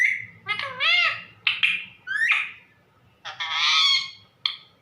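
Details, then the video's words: Talking pet parrot calling its mummy indoors: several wavering, nasal, honk-like calls with strong harmonics, some sliding up and down, separated by brief pauses, plus a short final squeak. "मिट्ठू मम्मी को बुला रहा |parrot calling mummy"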